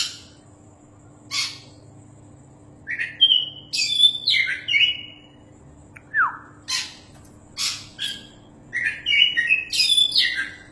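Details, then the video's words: Oriental magpie-robin, a champion singer suited as a tutor bird: scattered scratchy notes, then varied whistled phrases with a sharp downslurred note midway, followed by more rasps and a closing burst of rich warbling. "BURUNG KACER JUARA GACORRR PAS BUAT MASTERAN~"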